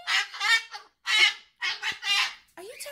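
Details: A pet umbrella cockatoo indoors, jealous and squawking while its owner holds a sulphur-crested cockatoo, gives four or five loud, harsh, raspy squawks in quick bursts, each about half a second, then a scratchier, lower call.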